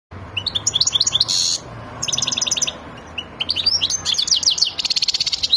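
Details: European goldfinch described as excited and ready to mate, singing high, rapid twittering phrases of tinkling notes and buzzy trills, broken by short pauses, over a faint low hum.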